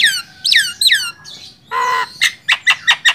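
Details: Javan myna sound for training songbirds: three downslurred squealing whistles, a nasal buzzy note, then a row of short harsh chips repeated about every quarter second.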